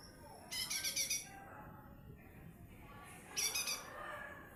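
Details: Lesser green leafbird, small form, singing: two short bursts of rapid, high, buzzy trilled notes about three seconds apart, with quiet hiss between them.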